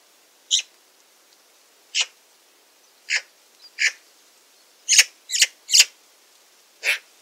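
Harsh, raspy chattering notes from a Eurasian magpie, single calls spaced about a second apart, then a quicker burst of three near the end.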